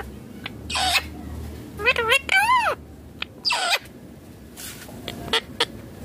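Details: Pet green Indian ringneck parakeet calling: a few noisy bursts followed by a pair of bending, harmonic squawks near the middle, then softer scattered chirps against a faint room hum.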